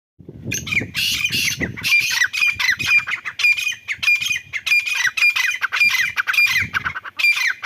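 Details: Chukar partridge giving loud, harsh, squawking calls in a rapid run of bursts that continues without pause, each note rich and ringing, with a low rumble underneath at the start and again near the end.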